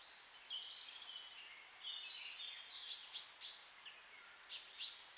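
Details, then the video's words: Woodland birdsong in a beech forest with rhododendrons in bloom: long high sustained whistles overlapped by repeated sharp chip-like trills from another singer, over gentle ambient hiss. "REALTIME Birdsong"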